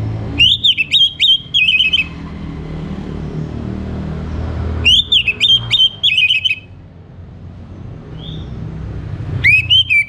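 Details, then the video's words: Orange-headed thrush song played in the morning to get birds singing: three bursts of rich, fast whistled phrases with quick up-and-down sweeps, separated by quiet gaps, over a low background hum. "Kembali Bunyi Dengar Pancingan PAGI HARI 99% Efektif bikin ANIS MERAH GACOR"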